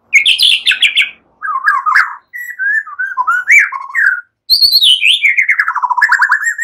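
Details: White-rumped shama in relaxed song mixing cililin and ciblek imitations, used to prompt other birds to sing: chattering high notes, then lower warbled whistles, then a long descending run of rapid trilled notes that rises again at the end.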